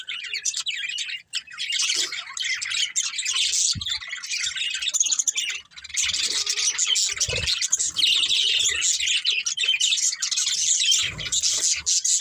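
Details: Steady, dense chatter from a breeding pair of budgerigars, high scratchy warbling running almost unbroken, with a few soft low thumps.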